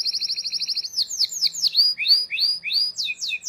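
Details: Canary song meant to teach young canaries: a quick even trill of short notes, followed by a series of loud down-slurred whistled phrases and chirps repeated at a lively pace.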